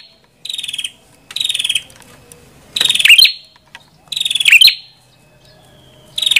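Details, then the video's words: High, buzzy pulsed trills from a prenjak kepala merah, some ending in sharp chips. Five phrases come about a second apart over light background noise. "Suara Burung Prenjak Kepala Merah"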